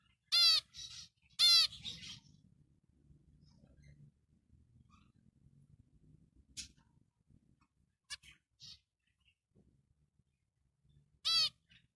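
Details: A black-breasted zebra finch gives loud, nasal, trumpet-like beeps, two close together and one later, with fainter short calls between and a low background rumble.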